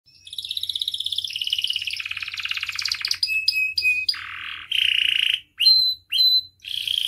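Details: Singing canary used as a training song for other canaries: long buzzy trills and fast rattling rolls, then a run of short sharp repeated whistled notes and separate bursts of dense churring, loud and close.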